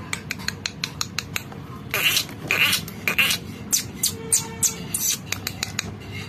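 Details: A pet male Indian ringneck (rose-ringed) parakeet talking to a person, perhaps saying "mitthu", in harsh, raspy, word-like syllables: about six bursts in four seconds, after a run of sharp clicks.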